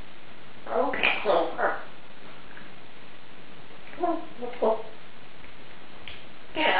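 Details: A female Congo African grey parrot, winner of a 2011 best-talking-parrot competition and knowing 350+ words, talks in three short bursts of human-like words with about two-second pauses, in a quiet room.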